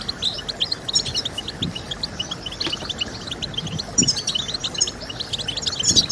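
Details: Goldfinch song used to prompt breeders' birds to sing: quick, high tinkling chirps and twitters in an unbroken run, with occasional soft low thumps in the background.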